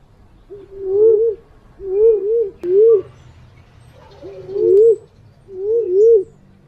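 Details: Calls of a green pigeon, the kind used to lure birds: five soft whistled phrases, each a rising-falling double note, spaced about a second apart over low background rumble.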